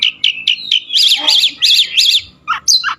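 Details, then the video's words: Kacer, the oriental magpie-robin, opens with quick repeated short whistles, then gives four rapid wavy buzzing trills in a row before ending on descending and rising slurred notes. "burung kacer ajaib"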